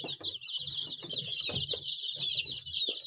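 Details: Many baby chicks cheep at once in a constant shrill chatter of overlapping high notes, mixed with soft low scuffling sounds.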